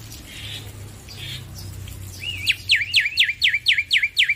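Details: Loud male black-winged myna singing as training song for stressed birds: after a quiet, hissy start, a fast series of sharp, rising whistled notes follows in quick succession, over a low steady hum.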